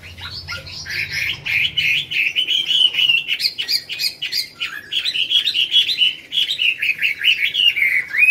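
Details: Chinese hwamei performing at a singing contest in Mỹ Đình, Vietnam, 19 July 2020: dense, fast stream of bright whistled and chattering notes, continuous and varied, with rapid trills between phrases.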